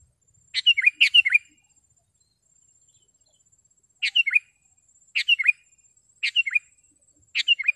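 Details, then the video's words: Sooty-headed bulbul singing sharply and clearly, meant for tutoring caged birds and attracting wild ones; short three-note bubbly phrases, a doubled phrase at first, then single phrases about every second or so, with a steady high insect buzz. "SUARA BURUNG KUTILANG GACOR TAJAM DAN JERNIH"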